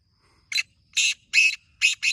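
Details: Black francolin in a village area at morning, giving a single harsh phrase of five scratchy, rasping notes with short gaps between them; otherwise quiet.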